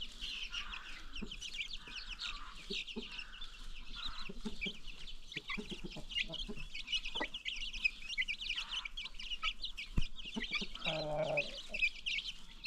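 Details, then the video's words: Free-range farm chickens with new baby chicks: a dense chorus of high, rapid peeping chirps runs throughout, with lower clucking notes from adult hens and a few sharp knocks. "new baby chicks"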